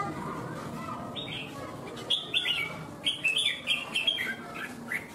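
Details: Red-whiskered bulbul in a singing competition in Vietnam, a strong competitive bird: a run of short, clear whistled phrases around the upper-middle range, repeated rapidly in bursts over several seconds, with faint background chatter.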